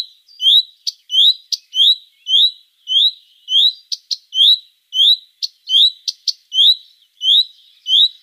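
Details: Common redstart in excited calling: a rapid, steady run of rising "fuid" whistles, nearly two per second, interspersed with hard "teck" ticks, sometimes doubled, recalling a robin's ticking.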